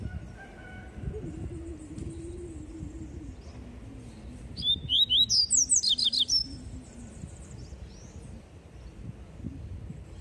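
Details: Double-collared seedeater (coleiro) singing its "tui tui" song: a quick run of high, sharp whistled notes for about two seconds over a low rumbling background with a faint low voice.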